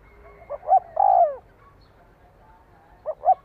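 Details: Spotted dove call aimed at prompting a decoy to respond: one phrase of two short coos and a long falling croo, then the two short opening notes of another phrase.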